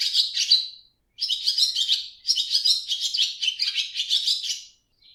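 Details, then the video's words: A swallow gives rapid, high, scratchy twittering in bursts of about a second, with short pauses between them; no other sounds. "Swallow Sounds"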